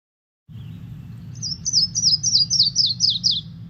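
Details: Yellow-throated Warbler descending song: a quick run of about eight sweet, slurred whistles, each note stepping steadily lower in pitch over two seconds, over a low steady hum.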